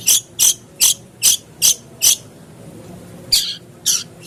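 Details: Long-tailed shrike lure song meant to spur a caged bird into singing; six harsh, hissing notes evenly spaced, a pause, then three more.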